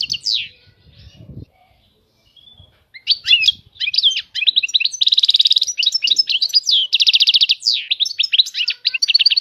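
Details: Goldfinch song with high maqamat: a few muffled low thumps, then a sustained, energetic stream of high twittering with repeated buzzy trills and sharp chirps.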